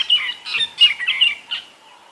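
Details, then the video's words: Morning chatter of wild fork-tailed drongos along a drainage line, 16 January 2022, amid birds and insects: a rapid run of about five loud, grating, scratchy notes, then a fade into quiet. "So I wanted to just sit here for a little bit and listen, because there are some beautiful fork-tailed drongos calling."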